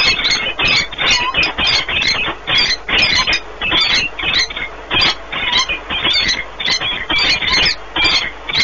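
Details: Peregrine falcon pair at the nest in Płock, Poland, 1 March 2019, meeting and bonding at length; steady rhythmic harsh squealing chatter, about two to three notes per second, loud and sustained.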